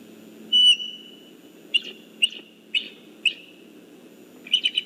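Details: Nesting eagle pair communicating near the nest shortly before hatching, afternoon of 11 December 2014: one long high whistle, then a series of short clipped whistled chirps roughly every half second, over a low steady hum.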